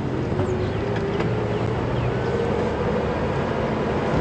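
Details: Loud, constant engine drone of a vehicle on a sunrise safari drive, a broad humming roar with no animal voices standing out.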